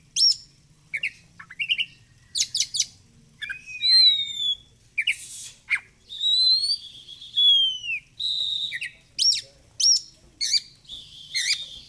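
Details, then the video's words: Softer varied song of an Oriental magpie-robin, meant for training and therapy: scattered sharp chips, arching whistled phrases that sweep up and down, and brief rattling notes separated by short pauses. "SUARA BURUNG KACER GACOR COR"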